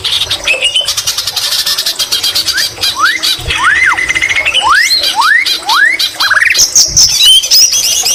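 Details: White-rumped shama singing with greater green leafbird fill, lively and energetic. A series of clear upslurred whistles repeats about once a second over a dense buzzing backdrop, ending in high twittering phrases.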